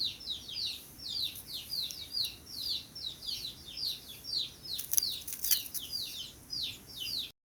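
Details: Sooty-headed bulbul calling in the morning, a steady run of short, bright, descending chirps, several each second, with bursts of high hissing noise midway and a pulsing shrill background.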